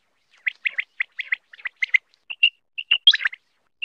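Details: Rapid high chirps from a batair (quail) in doubled notes, mixed with a few clear short whistles and a louder squeaky cluster near the end.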